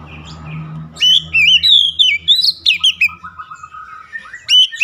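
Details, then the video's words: Oriental magpie-robin song: a burst of loud, rich whistled phrases, swooping and twisting, with quick repeated notes after a second of quiet, a low steady hum underneath early on. "KACER SETRES LANGSUNG GACOR"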